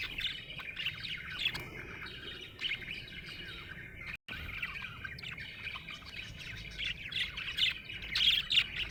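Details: Happy budgerigar chirping continuously, a dense scratchy warble of quick chirps and squeaks with a brief cut near the middle.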